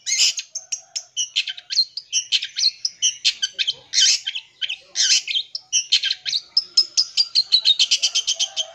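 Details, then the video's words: Long-tailed shrike song full of mimicked phrases, used to provoke and lure young birds: a fast, dense run of varied high chirps, trills and whistled notes, bursts following one another almost without pause, ending in a rapid repeated chatter. "PANCING SUARA CENDET FULL ISIAN INI CEPAT BIKIN EMOSI"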